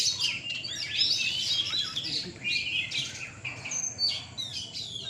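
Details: Kacer, or Oriental magpie-robins, singing at a night gantangan contest in Surabaya, Indonesia; bursts of sharp whistled phrases and rapid trills from multiple birds rise and fade in waves, with faint background murmur.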